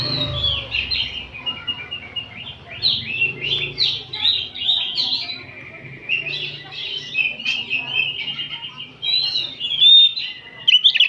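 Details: Afternoon chorus of oriental magpie-robins, a training recording to make caged birds open their tails; busy, tumbling whistled phrases with quick upward flicks and trills, faint low murmuring underneath.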